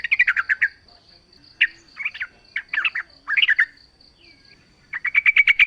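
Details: Yellow-vented bulbul in nature, recorded as a lure so other bulbuls answer: short gurgling phrases separated by pauses, ending in a fast rattling series of repeated notes, with a steady high buzzing tone throughout.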